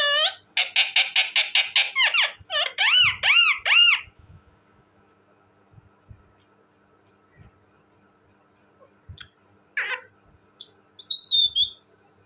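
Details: Talking parrot giving a fast run of rich, harsh, repeated calls, then a few arched nasal notes. A quiet pause follows before scattered short squawks and a thin high whistle.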